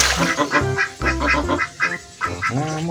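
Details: Ducks swimming in a pond while being fed, giving loud, harsh, nasal quacks in quick bursts, some rising and overlapping, with music playing underneath.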